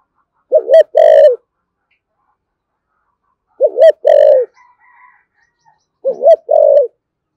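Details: Spotted dove with a 'thổ sấm' deep voice, in 'thúc gù' and calling-coo style: three low two-part phrases about three seconds apart, each a quick wavering note then a drawn-out steady coo, with a faint whistle between.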